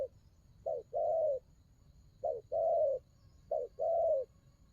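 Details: Spotted dove doing the đồng gù coo. Three unhurried phrases, each a quick low note followed by a long, smooth, slightly falling coo, with clear gaps between them. A faint hum lies underneath.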